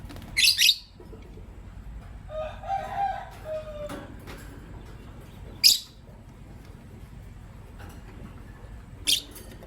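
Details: Morning chirping from a green personata lovebird and a pastel white lovebird: loud, piercing high chirps spaced a few seconds apart, with a softer lower warbling passage in between and a faint background hum.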